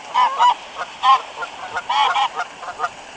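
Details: Geese at a waterfall on 26 February 2013, cold weather with dry grass, calling while being fed bread; a run of nasal honks, several short paired notes spaced unevenly over three seconds.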